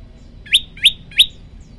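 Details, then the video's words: Prinia, locally prenjak lumut: three loud, bright rising chirps about a third of a second apart, with a faint low drone behind. "tembakan 40 detik sekali napas masteran prenjak lumut"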